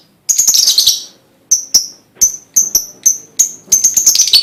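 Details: Lovebird singing to prompt other lovebirds: a burst of harsh high chatter, a pause, then paired sharp chips that quicken into a fast twittering run.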